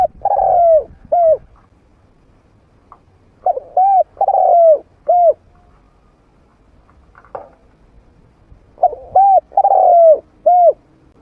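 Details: Decoy spotted dove with a medium voice, meant to lure wild doves to fight. Three cooing phrases over eleven seconds, each short coos around a long downward-sliding coo, with a brief faint rustle between them.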